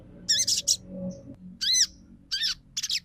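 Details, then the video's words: Crimson sunbird used as a lure: a few loud, high, arched chirps in short clusters, separated by brief quiet gaps. "PANCINGAN SOGON TROTOL MACET BUNYI LANGSUNG RESPON & NYAUT!!"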